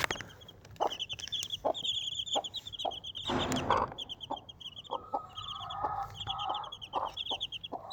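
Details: A mother hen of Desi breed with four chicks. Regular low clucks sound about every 0.7 seconds against busy high chick peeps, with a brief scratchy noise burst and a drawn-out, slightly wavering chick note.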